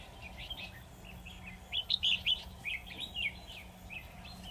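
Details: Red-whiskered bulbul used as a trap decoy for a lone wild bird: soft chatter rising into a few loud, clear warbled notes, then quieter phrases, over a faint low hum.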